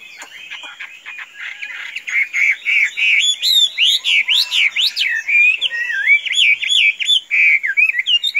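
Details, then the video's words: Tame captive Chinese hwamei sings a long run of loud, varied whistled notes, sweeping up and down and delivered in rapid, slightly irregular bursts roughly three per second, with a faint steady high tone behind. "Chim họa mi thuần như gà"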